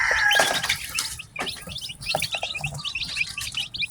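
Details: Newly hatched domestic chicks cheeping together: a rapid stream of short, high, downward-slurred peeps overlapping one another, preceded by a burst of rustling noise at the start.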